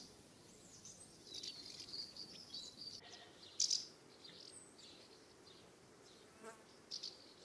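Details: Common house martins flying around their nest site in a UK summer give soft, dry, high twittering chirrups, with a few sharper clipped notes breaking through over a steady faint hiss.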